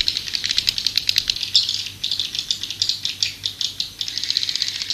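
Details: Calling sound of swiftlets for attracting birds: rapid, rattling high-pitched chitters arriving in short uneven bursts separated by brief pauses, with a dry, maraca-like texture.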